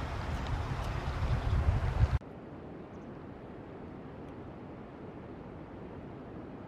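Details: Heavy wind rumble buffets the microphone, then cuts abruptly to a steady low outdoor hiss with no calls.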